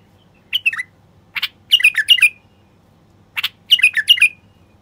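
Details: Common bulbul male's song meant to prompt wild bulbuls to sing and breed: short, clear, descending whistled phrases in quick bursts, with a gap of about a second between groups.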